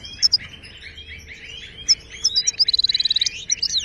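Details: Moroccan goldfinch song used to train caged birds: soft rolling twitter punctuated by sharp high chips, ending in a quick regular run of clicking notes and a few final chirps.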